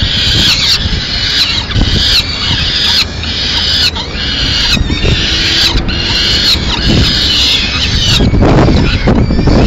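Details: In Madrid on 30 April 2016, a female peregrine falcon comes in with pigeon remains: repeated raspy wailing phrases separated by short pauses, over a constant low drone of city noise.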